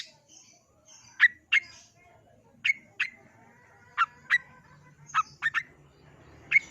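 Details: Long-tailed shrike (cendet) giving sharp, upslurred chirps, mostly in pairs, repeated every second or so over a faint low hum.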